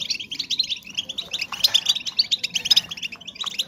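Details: Female European goldfinches calling to stimulate breeding in males; a busy stream of quick, tinkling, high-pitched chirps overlapping into a lively twitter, with a few slightly louder notes near the middle.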